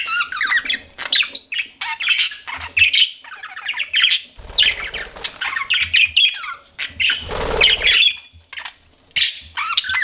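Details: Pet budgerigars warble in bursts of scratchy chirps, quick rising whistles and squawks, broken by short pauses and a fluttery noisy passage midway.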